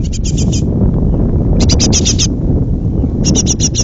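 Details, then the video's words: Hungry young great tits about to fledge, calling from a pollard willow: three bursts of rapid, harsh, buzzy high chirps, each about half a second long, over a steady loud low rumble. "jonge koolmezen"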